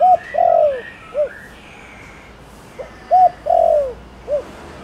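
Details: Thổ Đồng spotted dove cooing to draw other doves into calling: two phrases of a hoot, a drawn-out falling croo and a clipped final note, with another bird's rising whistles heard at the start.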